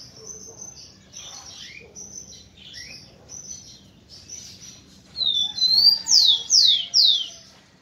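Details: Rufous-collared sparrow song meant to stimulate females. A run of faint, high chipping notes comes first, then a loud phrase of sharp whistles, with three bright descending slurs near the end.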